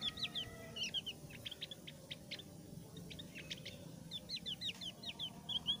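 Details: Javan grey-throated white-eye of the thick-browed form, singing in a style used to lure other white-eyes into song: scattered quick high chirps and short twittering notes over a steady background hiss.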